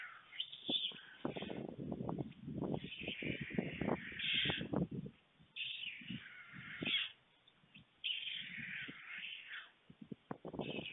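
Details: White stork storklets in a webcam nest, Fohrde, Germany, on a July 2019 afternoon. They react with anticipation of feeding as a parent lands. Several harsh wheezing hisses alternate with loud rustling, scraping and thuds from the nest.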